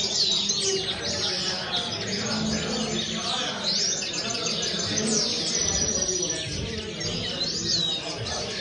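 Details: Linnet singing in quick, jumbled twitters, with bright upward-sweeping whistled notes around the second and fifth seconds and near the end, over a busy low background hum.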